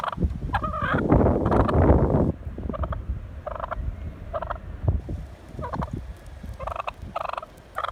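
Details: Wild turkey chasing a car, honking and squawking. A loud, roaring burst of wind or vehicle noise fills the first two seconds, then short nasal honks come in irregular pairs and threes over a low rumble.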